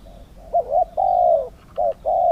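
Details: Spotted dove in a singing contest in Thailand, heard close: short double coos lead into a sustained, slightly falling coo, with another short coo and a long coo following within about two seconds.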